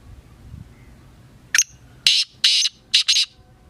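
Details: Black francolin, locally kala teetar, giving a full rasping phrase: one short sharp opening note, then two longer harsh buzzy notes and a closing pair of shorter grating notes.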